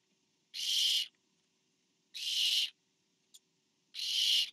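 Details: Barn owl, a parent bringing food to the fourth owlet on 24 September 2015: three harsh hissing screeches of about half a second, spaced near one and a half seconds, plus a brief soft click.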